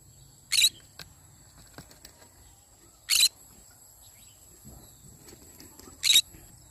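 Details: In the morning, a yellow-sided conure utters three brief, raspy, high-pitched screeches about two and a half to three seconds apart, with a faint low hum and scattered soft clicks between.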